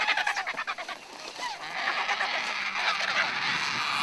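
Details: Vultures crowding to feed in the bush: rapid harsh squeals and grunts, then a continuous hissing, squabbling chorus; their excited cries draw marabou storks and jackals to the feast.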